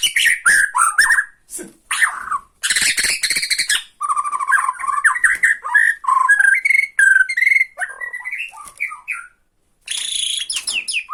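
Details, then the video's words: White-rumped shama from Borneo in ketrekan, a rattling display meant to provoke a rival shama: loud harsh rattles and buzzy bursts mixed with fast, rising and dipping whistled notes in dense, nearly continuous phrases. "BIKIN EMOSI LAWAN || TRETEKAN MURAI BORNEO MANCING MURAI LAIN"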